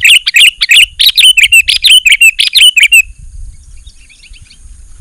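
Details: Sooty-headed bulbul song recorded as a lure to draw wild bulbuls and train quiet birds to sing: about three seconds of rapid, bright, repeated chirping phrases with slurred downward notes, then near silence with faint high hiss.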